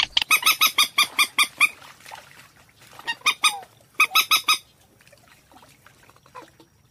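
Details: Purple swamphen call of the 'ré quốc biển' type, used as a lure for trapping: a rapid series of loud, harsh, honking notes, about eight in two seconds. A second, shorter burst of three to four notes follows, then quiet.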